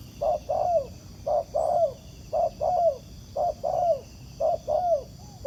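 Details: Wild spotted dove responding to a decoy on the ground, described as a strong cooer with good temperament. Regular coo phrases, about five in all, each a short note then a longer downward-curving coo, roughly one per second.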